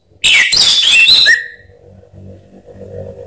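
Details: Lure recording of an orange-headed thrush to spur caged birds into song: a single burst of loud, scratchy warbling with wavering whistles and a final downslurred note, then a low background hum.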